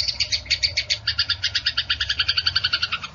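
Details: Fighting Eurasian tree sparrows used as songbird training audio: a short, quick series of harsh chirps, about seven per second.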